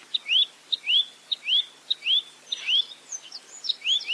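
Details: Velvet-fronted nuthatch in 'roll tembak' style: tick-and-rising-whistle phrases about every half second, with a cluster of fainter high chirps overlapping toward the end.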